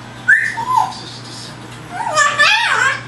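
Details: Pet parrot practicing words and sounds, having just begun copying the wild birds it sees outside; a slurred whistle sliding down, a pause, then a louder warbling, harmonic-rich phrase that rises and falls, indoors in a small room.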